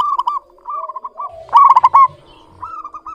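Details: A clear-toned local zebra dove gives a soft string of beaded coo notes, then a loud quick rolling phrase, and then resumes softer trilled cooing.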